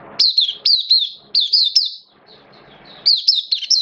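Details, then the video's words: Buka singing from a hobby-kept oriental white-eye, dated 11 September 2022: loud bursts of high, downward-slurred chirps in groups of three or four, a short quiet gap with faint twitter, then another lively burst. "Mata Puteh Kitaro Buka Sing"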